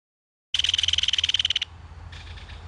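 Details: Belted kingfisher adult and baby communicating at a mud-bank nest during feeding: a loud, evenly pulsed dry rattle of about twenty quick notes lasting a second, followed by a fainter, thinner rattle.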